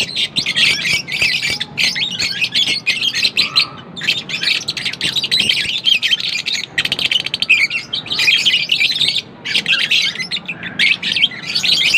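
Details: Lovebirds chirping continuously: a dense wall of high, sharp, buzzy chirps and chatter, rhythmically pulsing, with a faint low hum in the background.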